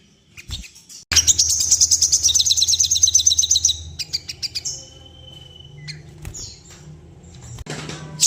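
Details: Sooty-headed bulbul in breeding condition, calling to stir other birds into wing-quivering display: a fast, loud, shrill series of repeated high chirps over a low hum for three seconds, then scattered thin whistles.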